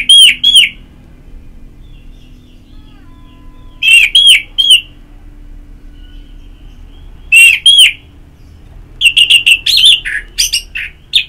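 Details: Orange-headed thrush ngeplong therapy song: short clusters of two or three ringing, arched whistles repeated every few seconds, ending in a busier run of mixed chirps and whistles.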